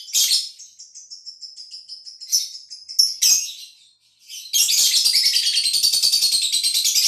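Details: Caged lovebird from Gresik, East Java, Indonesia, singing on opening of its cage cover; thin whistled twittering and harsh chirps, then a long dense buzzing trill of rapid pulses for nearly three seconds.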